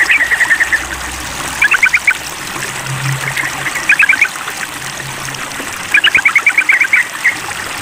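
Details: Sooty-headed bulbul tested by calling a rival: short groups of rapid chirping notes recurring every couple of seconds, under constant trickling water and a faint low hum.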